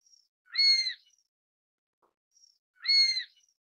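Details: Chinese sparrowhawk (Chinese goshawk, Accipiter soloensis) giving two shrill, slightly nasal calls about two seconds apart, each a brief rising-then-falling squeal; the background is otherwise quiet.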